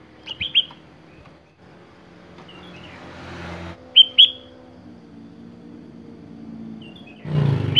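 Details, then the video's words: Sparse phrases from a sooty-headed bulbul showing off its song variety: a double whistled note, a faint hiss, then two more clear whistles, ending in a burst of broadband noise. "KUTILANG GACOR BONGKAR ISIAN"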